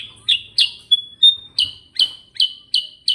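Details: Sooty-headed bulbul singing in the energetic ngerol rolling style: a steady series of sharp, bright chirps about three per second, broken once by a short, thin, level whistle, over a quiet background.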